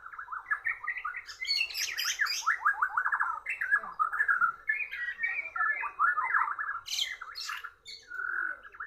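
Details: White-rumped shama outsung by a Borneo bird. A dense, continuous stream of fast, slurred warbling trills and chattering notes, with high harsh bursts near the end.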